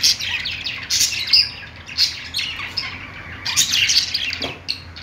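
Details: Perched pet budgies singing in short, separated bursts of squawky chirps and sharp high squeaks, with brief gaps between phrases and a louder, busier run of chatter near the end.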